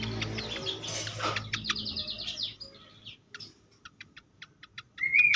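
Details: Fantail in an agitated state, used as a lure and to stimulate birds. A noisy, busy opening of chattering notes gives way to a series of sharp, isolated high ticks, ending in a bright whistled phrase.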